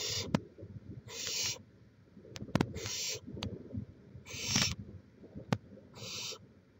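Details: Chula Vista, California barn owl nest, live camera, May 2017: a series of five scratchy hissing screeches, each about half a second, interspersed with sharp clicks and low background noise.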